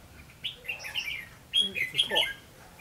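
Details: Red-whiskered bulbuls in Phú Thọ, Vietnam, 3 January 2016, singing a fighting song while a decoy bird is used for trapping: two bursts of bright, rapid warbled notes separated by a brief pause.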